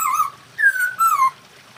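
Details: Masked laughingthrush, a kept songbird, in a recording meant to raise breeding drive. Three clean, slightly falling whistled notes follow one another closely, over a faint low background hum.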